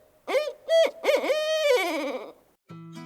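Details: A Barred Owl at Tellico Village gives its rhythmic 'who cooks for you' hooting: four rich, clipped hoots ending in a long, sagging final note, followed by a low musical tone.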